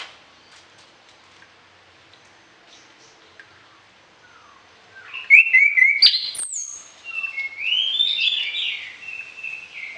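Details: Orange-headed thrush in full, varied song used for tutoring other songbirds at morning and evening; near silence for five seconds, then loud rich warbling and whistled runs with sharp high notes.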